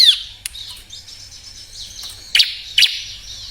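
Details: Short bar-winged prinia passage meant to stir reluctant birds into singing: a loud downslurred note opens, faint high twittering follows, then two sharp, bright chirps close together near the end.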